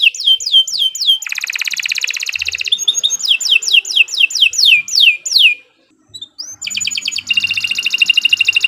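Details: Canary singing for use as a master recording: descending whistled slurs, a dense buzzy trill, another run of slurs, a brief pause and rising note, then a rapid rattling trill.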